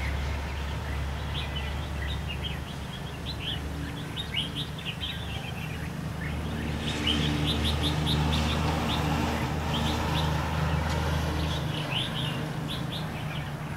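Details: Red-whiskered bulbuls used as lively decoys during bird trapping on 23 October 2016; short warbled, bouncy phrases repeat steadily over a low engine-like hum, with brief bursts of high, rapid ticking near the middle.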